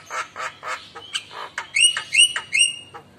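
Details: Javan myna, a singing bird, answering the calls of other mynas: harsh chattering notes, then clear whistled upslurred notes repeated about three times near the end.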